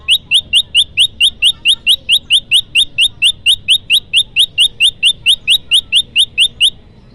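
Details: Olive-backed tailorbird lure for bird trapping: a long, fast, very regular series of sharp high chip notes, a bit over two per second, continuing unbroken for nearly seven seconds.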